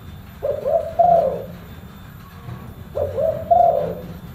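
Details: Deep full-bass cooing of a spotted dove: two soft, hollow phrases about two and a half seconds apart, each a short lead-in note followed by a longer swelling coo, with low rumbling noise underneath.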